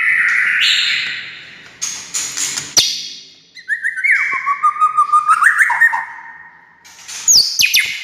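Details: White-rumped shama singing to draw responses from other shamas: a loud warbled opening, harsh bursts, then a run of quick, evenly repeated descending whistled notes and a sharp ending flourish.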